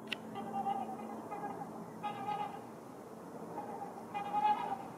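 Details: On the frozen surface of Rush Lake, two pairs of trumpeter swans call while waiting for the ice to open, asserting a claim to a prime nesting spot. Resonant, horn-like honks are repeated in bursts roughly every two seconds.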